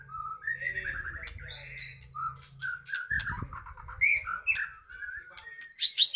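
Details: Loud full song of a caged white-rumped shama of the Medan type. A varied stream of warbles, whistles and chattering notes, ending in sharp high squeaks, over a low background hum and a brief thud.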